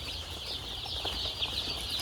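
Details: Chicks at a poultry farm, packed together in a box because of the cold, give a dense chorus of high, thin peeps that overlap continuously, with a low hum underneath.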